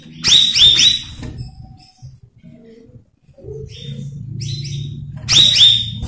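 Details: Cucak rawis singing for training young birds: a quick cluster of bright descending whistles, a quieter stretch with a few softer notes, then another rich whistled burst at the end, over a low background hum.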